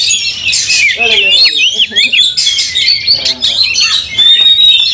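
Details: Caged white-rumped shamas in an angry fighting display, tails spread, singing in a dense, fast jumble of high whistles, sweeps and chattering notes with little pause, several birds overlapping.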